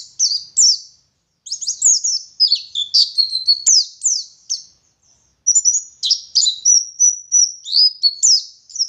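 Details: Ngalas-style song from a West Java dakun Oriental white-eye from Garut: tangled, high-pitched warbled twitters and slurred whistles, pausing briefly twice before resuming in rapid chattering phrases.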